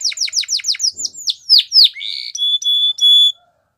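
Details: Belgian canary in song for training: a run of quick downslurred notes, then slower falling sweeps, ending in clear, steady whistled tones broken by short gaps.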